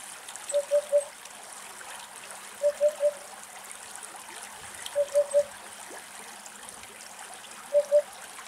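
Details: Eurasian hoopoe in Greece, foraging by digging for acorns in soft ground, giving soft, low hollow hoots in groups of two or three, 'oop-oop-oop', every two to three seconds over a steady trickle of running water.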